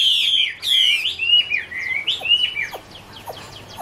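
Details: Chinese hwamei singing in autumn: a clear descending series of slurred whistles, strongest at the start, fading into softer notes and faint clicks.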